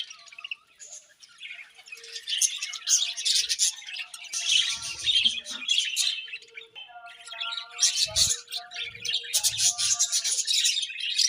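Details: Budgerigars chattering at morning feeding time, a continuous flock warble of high, buzzy chirps and squeaks, with a few soft low knocks.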